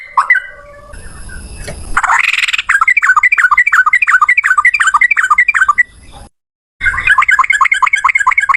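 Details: The yellow-vented bulbul pours out a long, steady run of quick, bouncing chirps that lasts several seconds. A brief rough burst comes first, and the sound cuts out for a moment before the chirping resumes.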